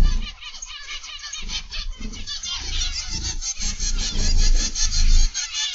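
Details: Zebra finches in an aviary, 29 November 2021, PM: a steady wall of nasal toots and buzzy chatter from many birds, over strong low-frequency rumbling throughout.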